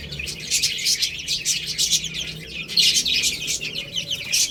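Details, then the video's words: Chicks feeding on rice and playing. A dense chorus of shrill, high-pitched peeps, many birds calling over one another in quick succession without pause. "Beautiful Chicks Chirping Sounds"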